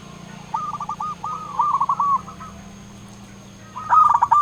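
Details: Local zebra dove (perkutut) singing to provoke rivals: gentle, fairly quiet strings of arched coo notes, a lull over a low steady hum, then a short louder closing flourish.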